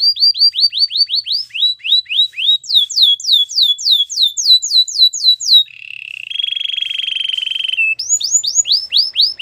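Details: Belgian canary song of repeated downslurred whistles in shifting pitch runs, a flat buzzing roll lasting about two seconds, then further whistled slurs.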